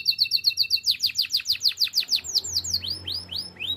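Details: Canary song used for training: a fast even series of clipped twittering notes, then a rapid string of steep downward-slurred whistles, slowing into a few separate rising sweeps at the close.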